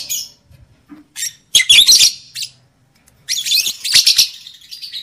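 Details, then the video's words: Lovebird hen's chatter for rousing breeding condition: scattered faint notes, then a loud buzzy burst of shrill chirps, a silent pause, and a longer rasping twittering phrase. "SUARA PANCINGAN UNTUK MENAIKAN BIRAHI EMOSI JANTAN DAN JEBOL BIRAHI LOVEBIRD BETINA"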